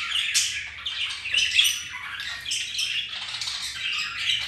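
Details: Pet budgerigars mating, flirting and playing; soft continuous warbling chatter, mid-high chirrups and squeaks flowing together at an even loudness.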